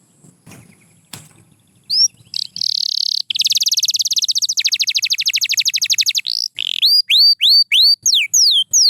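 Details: White canary song opening with a few soft calls, building into a long fast buzzy trill that speeds and shifts lower, then ending in bright repeated whistled notes sliding downward.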